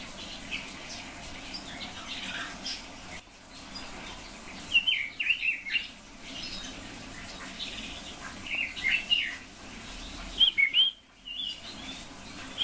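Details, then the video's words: Red-billed leiothrix sharing the recording with silver-eared mesias: short clusters of rapid, slurred warbling notes come in scattered bursts with quiet gaps between, against a constant low hiss. "песня китайских соловьев"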